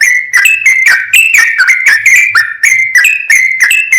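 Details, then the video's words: Sooty-headed bulbul singing vigorously in a rapid, continuous 'full ropel' style, used as a master recording to rouse other bulbuls. Bright, slurred whistled notes, each dipping then rising, follow one another several per second with no pauses. No other sounds. "MASTERAN BURUNG TRUCUKAN GACOR FULL ROPEL, BIKIN TRUCUK LAIN LANGSUNG NAIK EMOSI DAN GACOR"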